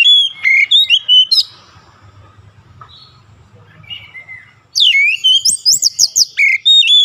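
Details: Oriental magpie-robin (kacer) in daily training for long rolling song: quick varied whistles, a quiet spell with faint notes, then a dense rapid burst of sweeping, chattering whistled phrases.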